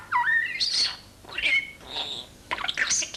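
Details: Corsica, a young pet common starling from Corsica, whistles La Marseillaise: clear rising, slurred whistles broken by squeaky, buzzy notes, in quick bursts over about three seconds.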